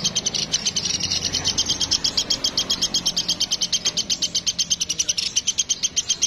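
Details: Woodpecker of the Sampit type in full voice, giving a long, even chain of high, clipped notes, roughly six per second, ringing with two bright tones, over a soft low rumble.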